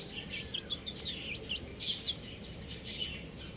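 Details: Baby chickens, buff chicks, calling in bright, piercing peeps that slur downward, several birds overlapping in rapid bursts, with a few louder cries standing out.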